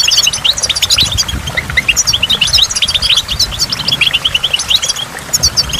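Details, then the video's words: A goldfinch by a waterfall keeps up lively high twittering, with clustered chirps and quick jingling notes, over a continuous low splash of water drops. "in the waterfall stimulates goldfinch and water drops"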